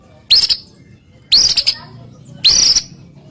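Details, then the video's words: Murai batu, the white-rumped shama, heard in a lure recording of gacor singing: three harsh, high rasping notes about one second apart, with faint low background hum. "Putar sebentar burung murai apapun langsung ikut NYAUT"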